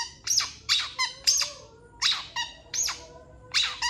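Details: Master recording of a long-tailed shrike in full song for training other birds. Repeated harsh, downward-sweeping squawks are delivered every half second or so, with clear pauses between them.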